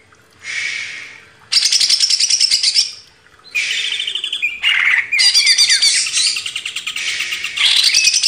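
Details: Greater green leafbird singing in a master recording meant for training cage birds: loud, harsh, buzzy chatter in long bursts mixed with rapid twittering trills and brief silences.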